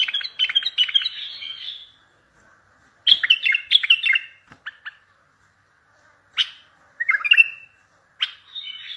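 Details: Bulbul song intended to make other bulbuls answer, used for trapping. Fluent warbled phrases alternate with long silent gaps, then shorter whistled bursts and a sustained note at the close.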